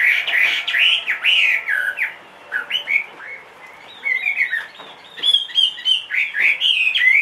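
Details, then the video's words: Caged Chinese hwamei, two and a half years old and large-bodied, said to sing in any setting; rich run of loud whistled, swooping and slurred phrases with brief pauses, some notes repeated rapidly. "hót mọi địa hình bộ to 2,5 tuổi lồng"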